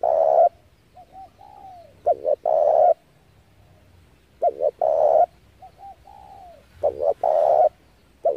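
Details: Spotted dove used as a lure bird for trapping doves, giving its cooing call: a short hoarse coo, a few soft sliding notes, then a stuttered double note and a long loud coo, repeated twice.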